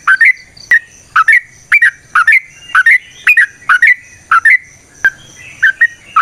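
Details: Lure recording of a yellow-vented bulbul singing energetically, its 'ropel panjang' style made of paired liquid chirps that rise and fall, repeated almost twice a second with a few sharp clicks between.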